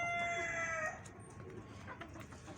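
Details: Rooster in a family flock with hens, the end of a crow: a loud, sustained, harmonic-rich note that holds steady for about a second, drops slightly in pitch and cuts off, followed by quiet background noise.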